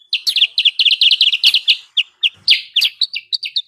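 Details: Sooty-headed bulbul lure call, used to draw wild birds down: rapid, sharp chirping notes run in a fast string, then spaced, slurred chips near the end, bright and high-pitched with no other sounds.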